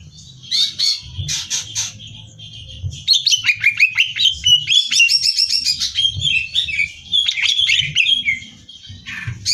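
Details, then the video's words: Greater green leafbird in energetic competition-style song: buzzy bursts, then long runs of quick whistled and trilled notes, mimicking-like and varied, repeated several times a second over a faint low hum. "Cucak Hijau Gacor Hiper Ampuh Buat Bahan Lomba"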